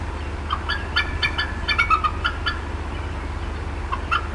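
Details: Female bald eagle at the Decorah North nest, upset on an April 2016 afternoon: a quick series of bright, chipping clucks, slightly descending, then a lull and a lone later note, over a low hum.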